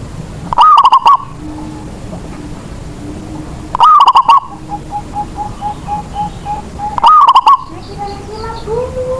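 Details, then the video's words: Local zebra dove, a lure bird whose singing prompts other doves to join in. Three loud, rolling coo phrases roughly every three seconds, answered between them by softer, evenly repeated coos. "Perkutut lokal Raja pikat. Cocok.buwat pancingan burung yg malas bunyi"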